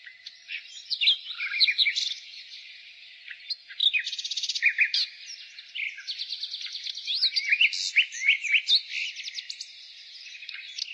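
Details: Varied spring nightingale song mixing sharp rising whistles, quick chirps and several fast buzzing trills, phrases tumbling over one another with other birds faintly chattering behind.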